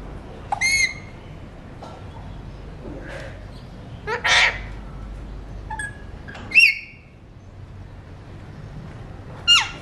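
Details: Alexandrine parakeet, a talking mutation, eating seeds: scattered harsh, ringing squawks and short sharp calls over a steady low background rumble, with one noisy burst in the middle.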